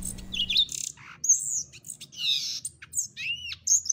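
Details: Violaceous Euphonia (Gaturamo-verdadeiro) from Brazil, a song noted among the country's most beautiful: a quick, jumbled run of high, thin whistles, chips and buzzy slurred notes, changing pitch and tone from phrase to phrase.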